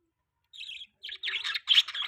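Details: Pet budgerigar giving a brief run of high, scratchy chirps and warbles after a short silence, growing louder toward the end.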